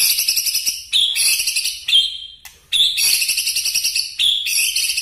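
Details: White-rumped shama, 'nembak' style song: loud bursts of high, rapid chattering notes, a steady whistled tone, then a short gap before the shrill, buzzy phrases return.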